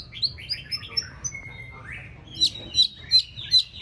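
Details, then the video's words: White-rumped shama in its fourth season, trained to sing for a contest: whistled rising and falling phrases, then four sharp repeated chips about every third of a second. "Kích lửa chuyền đấu hót solo sàng cầu rực rỡ"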